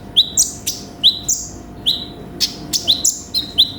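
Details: Konin sunbird in energetic full song, uttering thin piercing chirps that fall into buzzy trills, fired in rapid irregular succession, with a faint hum in the background.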